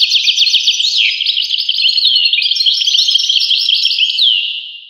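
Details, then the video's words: Continuous high twittering of a European goldfinch, rapid jumbled chirps and short trills fading slightly at the end. "voice carduelis- Tweets the birds. Tones a bird Goldfinch. voice goldfinch-"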